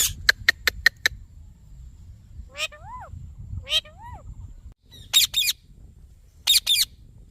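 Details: Green ringneck parrot: a burst of sharp clicks opens, then two smooth whistled notes that rise and fall, followed by harsh, high double squawks.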